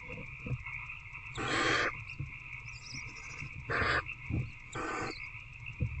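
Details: At night in a barn owl nest box, 19 February 2024, adult feeding an older owlet: three coarse, hissing screeches, the first longest, roughly every 1.5 to 2 seconds over low shuffling and steady hum.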